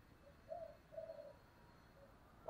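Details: Spotted dove calling in the morning, a soft, low hooting coo: a short note, two drawn-out rolling notes, then a faint final hoot, ending with a sharp knock.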